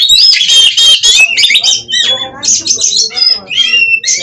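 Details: Energetic song of an Oriental magpie-robin kept in a Cirebon breeding aviary, Indonesia: crackling harsh bursts giving way to clear slurred whistles and quick chips, irregular and varied, with a steady low background hum.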